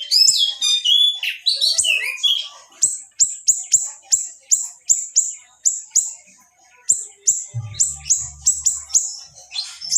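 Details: Small siri-siri delivering a dense, sharp tutor song: a few varied whistled slurs, then a steady run of piercing high chirped notes repeated about twice a second, with a short pause midway.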